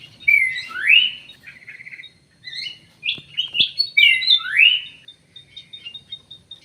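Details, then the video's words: Munia known as emprit sawah giving swooping slurred whistles, a short buzzy trill, then mixed chirps and another loud rising-falling whistle, with brief clicks in between. "burung emprit sawah, emprit kji"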